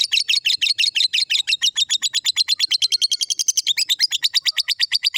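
A lovebird gives a long unbroken chatter: shrill, scratchy chirps at about eight per second for over five seconds, with no pause and no other sounds.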